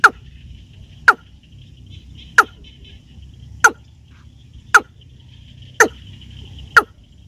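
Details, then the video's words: Watercock (keb-keb) giving short, abrupt, hollow 'keb' notes, seven in all, roughly one a second, over a faint steady high insect-like hum; played as a call for hunters. "Watercock Bird Sounds (Keb-Keb)"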